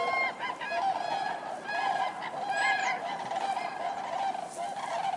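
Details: Common cranes calling: loud, rolling trumpeted calls overlapping in a steady honking chorus with harmonic, bugling notes.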